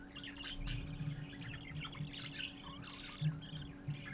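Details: Parakeet chicks gathering to see their father, late morning: busy overlapping chirps and scratchy squawks in quick irregular bursts, with a steady low electrical hum underneath.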